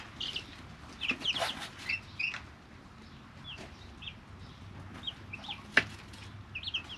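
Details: Brooder of three-week-old chicken chicks; scattered high peeps and quick trills come in bursts, with quieter gaps between, plus a few sharp taps and rustles.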